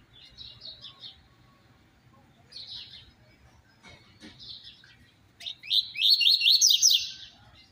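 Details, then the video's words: High chirping clusters from a double-collared seedeater, separated by pauses, build into a loud, fast, buzzy trill near the end; 'tui tui zero zero' song style, sung very fierily and used for training other seedeaters to sing. "Coleiro CANTO TUI TUI ZERO ZERO - Pra foguear seu coleiro"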